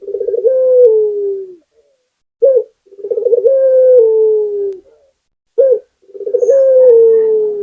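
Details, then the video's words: Local Barbary dove (puter) singing vigorously: a short clipped coo, then a rolling pulsed trill easing into a long, slightly falling drawn-out coo, repeated about every three seconds in a quiet setting. "Suara Burung Puter Gacor"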